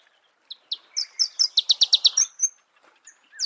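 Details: Marico sunbird in its natural habitat, singing an accelerating series of high chips that builds into a quick run of loud notes before trailing off into softer twittering.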